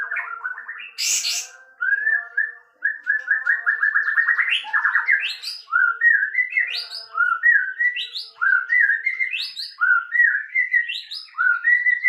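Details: Loud sooty-headed bulbul song: repeated short phrases of rich whistled notes, each ending in a sharp upward flick, given at steady intervals after an opening burst and a brief high hiss.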